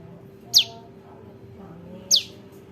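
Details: Juvenile bar-winged prinia call for luring birds to a trap: two loud, sharply descending high chips about one and a half seconds apart over a faint hum.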